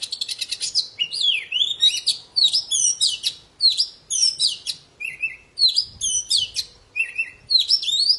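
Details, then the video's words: Poci, a form of Oriental magpie-robin, singing energetically to coax silent birds into singing: a nonstop stream of varied whistled swoops, chirps and trills, with lower pure whistles repeated now and then. "Suara burung poci super gacor"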